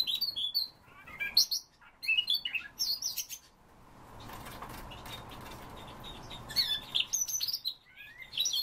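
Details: Siberian rubythroat delivering rapid, high, scratchy and whistled warbling phrases, then falling quiet for a few seconds before another burst of varied twittering notes at the end.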